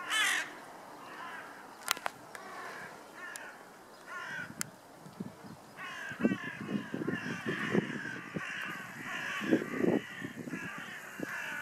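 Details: Hooded crows flying in a circling flock, a lookout bird calling a signal before all take flight and return: hoarse, grating caws and rasping calls from several birds, overlapping and irregular, over steady background noise.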